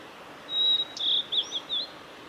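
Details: Song of a male blue-and-white flycatcher, Lake Miyagase, Kanazawa forest road, Japan, 17 May 2020. A sustained high whistled note opens, then a run of warbled, rolling phrases at a similar pitch, with a faint background.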